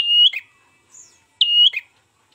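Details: Ashy tailorbird, recorded as a lure for trapping, gives two loud, drawn-out whistles that end in a quick downward flick, with a faint high note in between.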